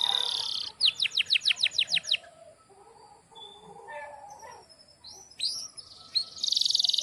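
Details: Canary song with a fast series of repeated sharp descending notes, then a quieter pause and a return to bright high chirps and trills.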